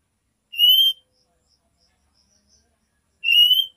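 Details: Female oriental magpie-robin calling a male with nyiul notes: two bright, slightly rising whistles nearly three seconds apart, with faint soft ticks between them.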